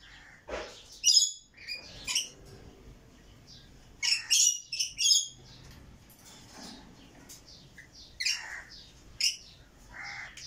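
A rainbow lorikeet gives harsh, shrill screeches in three short bursts a few seconds apart, with softer chattering notes between them.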